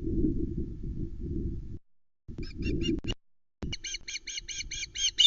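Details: Ospreys at the Loch Arkaig nest, 16 August 2020, evening: the juvenile male lands calling loudly as the adult male brings a mackerel, then calls again instead of eating; quick high whistled chirps, about six a second, after heavy wind rumble.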